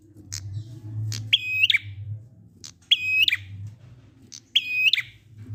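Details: Prinia giving "ngalun" song, used as a lure to get silent prinias to sing along. The same phrase repeats about every 1.6 seconds: a sharp high note, then a clear level whistle flanked by quick clicks. A low hum runs underneath.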